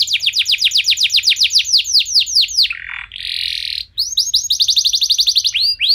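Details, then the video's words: Lure song of a canary meant to prompt other canaries into singing: rapid series of bright descending sweeps, broken by a short harsh buzzy phrase, then the quick sweeping notes resume. "Kenari Anda Bisa Gacor Seketika Dengar Pancingan Kenari Nembak Joss Ini"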